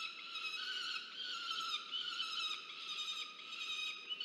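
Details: Hungry peregrine falcon chick on a nest in Orange, New South Wales, Australia, November 2022, calling its parent for food; an unbroken, strident, slightly wavering scream held for the whole stretch.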